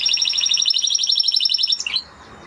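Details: Spanish Timbrado canary singing a fast, even, rattling trill of high pulsed notes lasting nearly two seconds, ending with a short rising slur.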